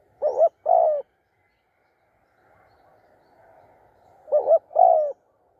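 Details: Spotted dove during decoy trapping in Thailand, giving loud, clear low coos in pairs: two hollow notes near the start, a quiet gap with faint hum, then another paired coo near the end.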